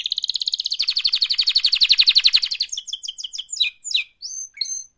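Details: Canary mating song, a long, fast rolling trill of high repeated notes lasting over two seconds, breaking into buzzy descending notes and a few short whistled chirps.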